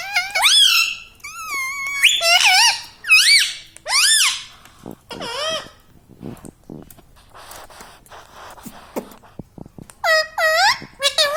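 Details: Pet parrot mimicking "mummy papa": quick sequences of bending, voice-like syllables in the first five seconds, a quieter stretch of soft scratchy noises, then another burst of swooping syllables at the end.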